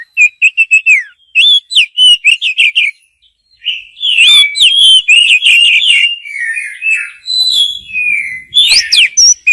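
A white-rumped shama sings rich, varied phrases of high, clear whistles and quick slurred notes, with brief pauses between bursts. The male sings to call a female.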